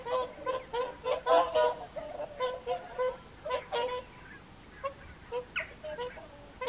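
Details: Whooper swans at the evening feed on the Folly Pond at WWT Caerlaverock in January; short bugling honks in bursts, thinning out to spaced single calls, over a quiet background.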